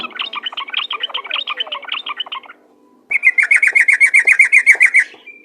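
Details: Yellow-vented bulbul song played to lure other bulbuls into singing, ropel gacor style. A dense, scratchy chatter gives way after a pause to a fast, even string of ringing notes.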